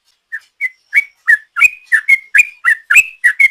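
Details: Sooty-headed bulbul ropel song used as a lure: begins with soft isolated whistles that grow louder into a quick, even series of slurred whistled notes about three per second; no background noise.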